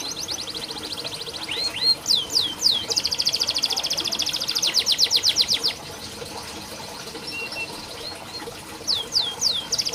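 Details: Canary song for training canaries that are reluctant to sing: swooping whistles and long rapid trills in bursts separated by pauses, with a steady background hiss.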